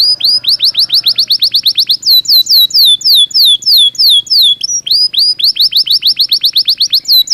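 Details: Belgian canary in full song, pouring out rapid, bright, rising notes in long continuous series that change tempo and timbre partway through, with only brief breaks.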